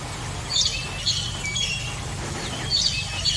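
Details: Oriental magpie-robin song: thin high whistled and chirping phrases in short bursts every half second or so, over a steady low rumbling hum.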